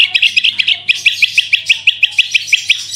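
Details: Fast, evenly spaced chirps from a branjangan lure recording, about six notes per second, bright and high, rolling without pause over a steady low hum.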